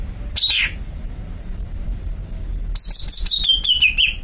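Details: Greater green leafbird (cucak ijo): one falling whistle, then after a gap a ringing series of about eight quick notes stepping steadily downward, low hum behind.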